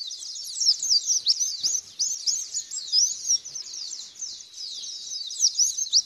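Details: High, busy white-eye song as a lure to draw a response and long singing: rapid tumbling chirps and quick down-slurred squeaks run together in a dense stream, louder phrases surging every second or so.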